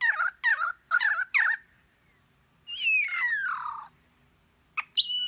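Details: Imitating the calls of other birds, a bird gives four harsh scratchy chirps, then a long whistled note sliding steadily downward, then two sharp high notes. No other sounds stand out.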